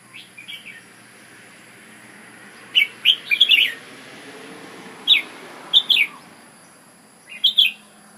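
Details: Red-whiskered bulbul giving Ubon decoy-style song: a faint opening phrase, then repeated short bursts of clear, chirpy whistled notes every second or two, over quiet hiss.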